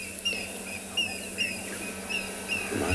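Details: African grey hornbills at Tswalu Kalahari Reserve, South Africa, at sunrise on a warm spring day, 23 October, declare territory at breeding time with high, thin whistled notes, some slurring up or down, roughly every half second, over a steady hiss.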